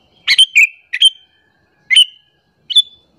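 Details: Sooty-headed bulbul calling, a call used to lure other bulbuls and provoke them: short bright chirps and brief whistled notes in quick bursts, with a gap of nearly a second before further single chirps.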